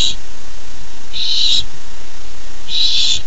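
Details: Barn owl owlet on 13 July 2015, worked up over its first treat, letting out loud rasping hiss-screeches of about half a second, separated by quiet gaps of over a second.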